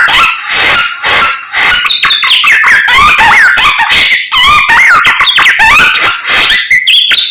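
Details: Lively samyong song at morning time, with repeated bursts of rough chatter interwoven with bright, zigzagging whistled notes at a fast pace.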